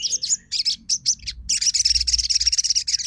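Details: Crimson sunbird singing as a lure to prompt non-singing birds to answer: short high chirps break into a rapid, even, high-pitched trill, about two and a half notes per second in the opening phrases.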